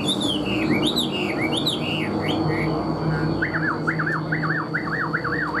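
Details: Caged Chinese hwamei sings descending looping whistles, then switches to a rhythmic series of repeated wavering notes, about two per second, over faint hum.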